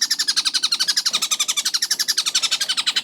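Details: Kingfisher (tengkek buto) in a fast, clear training recording. Quick, harsh, slightly wavering notes repeat almost four times a second, with a brief soft thud partway through.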